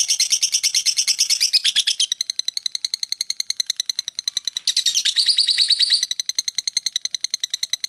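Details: Lovebird pouring out unbroken chatter, lasting over two minutes in all: a fast, even stream of high buzzy pulses, swelling into denser bursts twice before settling back.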